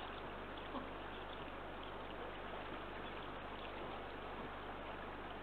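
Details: Steady broadband hiss resembling flowing water or a pump runs throughout, with no animal calls audible.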